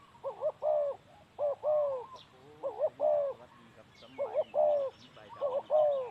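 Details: Spotted dove, a male used as a trapping decoy on the ground, repeating hollow cooing phrases. Short notes lead into a longer sustained coo, five phrases in six seconds, with faint high chirps behind.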